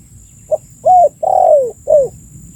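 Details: Spotted dove calling, recorded for use as a lure to attract birds: one four-note phrase of a short soft coo, an arched hoot, a long downslurred coo and a clipped falling final note, over faint low background rumble.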